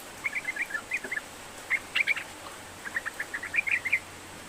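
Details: Sooty-headed bulbul song used as a lure to get a reluctant bird singing: short, spaced clusters of bright, bubbly chattering notes with clear pauses between phrases.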